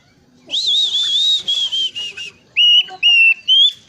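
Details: Vigorously singing bush warbler, known locally as plenduk semak, with varied sounds: a long wavering whistle with a buzzy edge, short broken phrases, then three steady clear whistled notes, each held about a quarter second.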